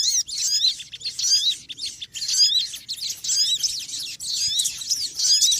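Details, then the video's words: A dense chorus of small birds: many high, busy chirps and curling whistled notes overlap almost without pause, noisy and continuous. "Suara Burung Kecil Ribut"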